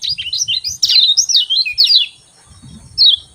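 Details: Lemon-bellied white-eye's morning 'ciak ciak' chirping, used to make lazy birds sing: quick high looping warbled notes for two seconds, a pause, then one clear downslurred chirp, with soft low knocking underneath.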